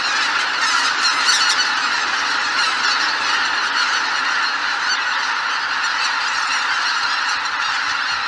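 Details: Greater white-fronted geese departing their Miyajima-numa roost in 2023: a sustained, noisy clamour of many overlapping honks and yelps, with clearer nearby calls in the first two seconds before settling into a steady chorus.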